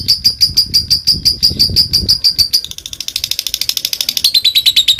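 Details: Fighter lovebird chattering to draw rivals into song: clear high piping notes repeated about three times a second, then a faster buzzy rattle, ending with a slightly lower rapid trill.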